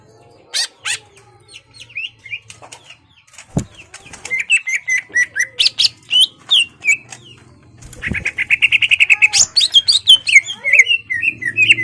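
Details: Greater green leafbird in a cage, singing hard to provoke a rival: sparse chips and a sharp click, then a long varied stream of whistled slurs, closing with a fast rattling trill and lively chattering phrases.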